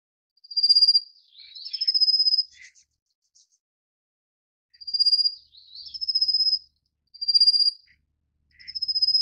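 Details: Rufous-faced Warbler at the nest feeding chicks, giving paired phrases every few seconds: a short, thin, high trill followed by a longer rattling trill that opens with an upward slur, with faint soft chips between.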